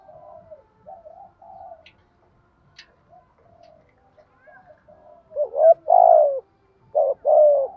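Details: Spotted dove calling and urging a rival to fight, starting with soft distant low coos, then loud close coos in a quick sequence of short rising notes followed by a long drawn hoot, repeated twice.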